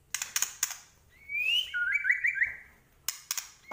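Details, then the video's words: White-rumped shama from Medan in 'gacor' song with rich 'isian' content: a sliding whistle rises smoothly, then breaks into a rippling series of short twittered notes, framed by sharp clicks at the start and end. "Murai Batu Medan Gacor Full Isian"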